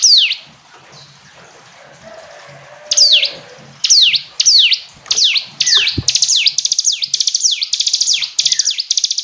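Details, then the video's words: After a quiet start, a hill prinia begins a run of high, falling notes that speed up into a fast, chattering series toward the end; a soft tap is heard midway. "Ciblek gunung istimewa, hitungan detik dijamin langsung bunyi ‼️ jernih"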